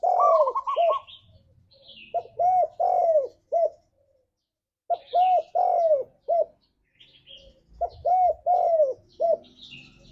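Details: Spotted dove in energetic forest-style song to prompt caged doves: three bouts of four or five low rounded coos, the first led by a fast higher trill, with faint chirping of other birds throughout.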